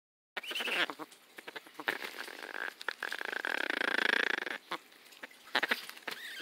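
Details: A pet Amazon parrot sitting on a bag of popcorn while being petted makes a run of harsh, grunting chatter with short squeaky notes, loud and irregular, with crinkling rustles mixed in.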